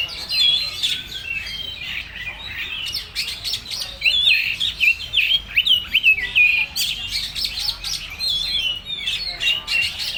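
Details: Oriental magpie-robin (kacer) in full materi song: a lively stream of bright whistles and sharp chirps, many notes sweeping up or down, delivered in quick uneven bursts.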